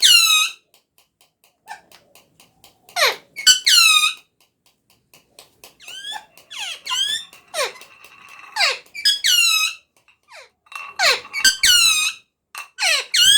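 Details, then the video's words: Talking parrot giving loud, squeaky harmonic calls that sweep steeply downward, in scattered bursts separated by short silences, with faint clicks between them. "Talking Parrot/Smart Talking Parrot"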